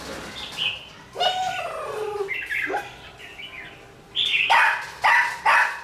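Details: Caged red-whiskered bulbul, twelve days in captivity, responding well to a decoy: soft warbled phrases, a falling slurred whistle, a sharp upslurred note, then three emphatic, bright bursts near the end.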